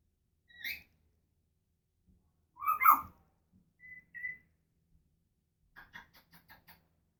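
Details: Pet African grey parrot making noises indoors: a short high chirp, a loud harsh squawk, two brief level whistles, then a quick string of soft clicking taps.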